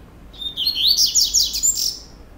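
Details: Captive double-collared seedeater from a Brazilian breeder singing the procurador style: a fast run of high, buzzy, sliding notes, rising and falling quickly for about two seconds in a quiet room.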